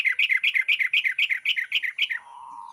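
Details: Dawn singing of a yellow-vented bulbul fed dried rice: a fast, even chatter of about a dozen sharp chirping notes in two seconds, then a soft fading tone.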